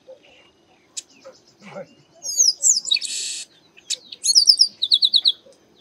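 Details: Chestnut-capped blackbird in the Bahia sertão, Brazilian Northeast: whistled slurred notes, a loud buzzy burst of nearly a second, then a quick series of sharp repeated high notes.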